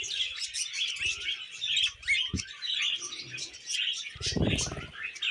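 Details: Budgerigars kept at home chatter in a rapid, high twittering stream of chirps and squeaks, broken by a few short low knocks and a louder thumping burst near the end.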